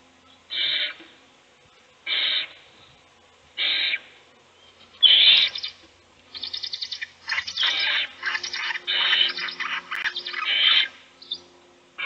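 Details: Owls in a nest box, an adult feeding one chick while the other chicks sleep; three evenly spaced harsh hissing bursts, then a rapid run of shorter raspy, chattering hisses crowding together.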